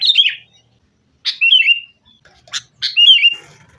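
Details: Sooty-headed bulbul fighting lure song for caged birds: short bubbly phrases, each opening with a sharp note then sliding into a warbled tail, given about once a second with gaps.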